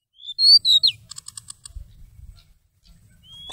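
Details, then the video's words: Seychelles magpie-robin song used as a lure for bird trapping, November 2016: a few loud, clear whistled notes sliding down, then a quick run of soft ticking clicks and a faint rising whistle at the end. "Trapping bird Seychelles magpie-robin attractive and most exciting 11/2016"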